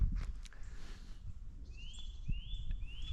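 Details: Eurasian nuthatch calling loudly on a foggy winter morning in late February, giving three clear, rising whistled notes, one about every half second, over footsteps and low rumbling background noise.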